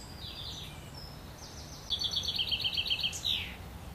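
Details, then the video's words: Mother Eurasian wren feeding her young at the nest, Worthington Lake, Standish, Wigan; faint high notes, then a loud fast series of shrill pulsed begging calls, about a dozen in two seconds, ending in a sweeping squeal. "Wrens Nest"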